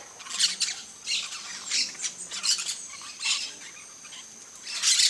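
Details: Scratchy, screeching calls from a flock of peach-fronted parakeets visiting a feeder in Brazil, one call roughly every half second to second.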